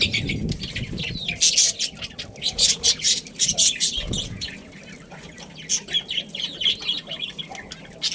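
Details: Budgerigars of a breeding pair give a quick series of loud high chirps and squeaks, then a quieter stretch of soft warbling before the chirping picks up again.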